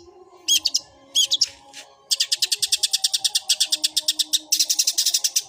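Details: Long-tailed shrike in fighting mode, 'suara gereja' style: two loud rising whistled phrases, then a long fast series of buzzy, evenly pulsed high notes.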